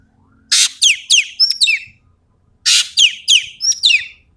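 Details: Sumatran ekek keling singing vigorously with tembakan material. Two matching phrases, each a loud harsh rasp followed by three quick downward-slurred whistles and a high doubled note, about two seconds apart.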